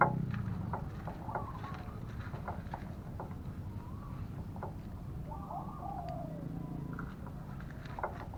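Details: Spotted dove in a decoy trapping session, with a caged lure bird set at a trap. Soft, low, warbling coos come near 1.3 and 2.8 seconds and again from 5.5 to 6.5 seconds, partly masked by steady broadband noise and scattered clicks.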